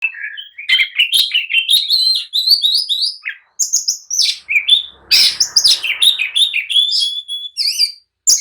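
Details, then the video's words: Oriental magpie-robin (kacer) singing in an agitated mood, meant to provoke other magpie-robins to answer and fight. A dense, continuous stream of varied high whistles, rapid trills and chirps, with brief pauses near 3.5 and 8 seconds. "kicau kacer gacor emosi! jadikan kacer loyo langsung nyaut dan tarung emosi"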